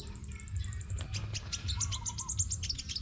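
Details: Competition song of a crimson sunbird from Đồng Nai, Vietnam: a rapid, needle-thin ticking trill, then a jumble of high chirps and squeaks, against a steady low hum.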